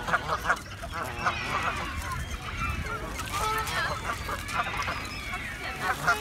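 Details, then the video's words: Several Canada geese honking at each other, giving overlapping nasal honks mixed with drawn-out rising calls in an irregular, busy exchange over a noisy background. "Canadian Geese Honking At Each Other"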